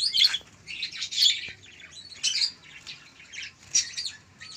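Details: Young local canary, one month old, giving short harsh high chirps in separate bursts about once a second.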